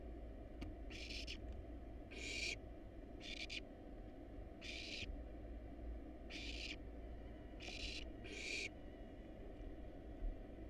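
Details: Seven raspy, breathy hisses, roughly one every second and a half, from wild barn owl chicks begging in a nest box while being fed a rat and a rabbit; a low steady hum runs underneath.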